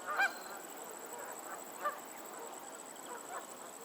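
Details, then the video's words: Geese on a lake in Pennsylvania, a few short honks early on, one loud pair near the start and another single honk about two seconds later, over a steady hiss of wind and water. "the sound of geese on a lake in Pennsylvania"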